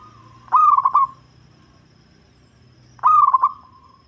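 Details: Local zebra dove with a deep, bass voice, used as a lure: two loud, rapid stuttering coo phrases two and a half seconds apart, each ending in a soft, level fading note.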